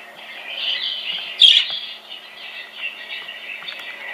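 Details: A budgerigar chatters at a budgie in a video on a screen, as if talking to it, in a steady, high, scratchy warble with one brief louder squawk partway through.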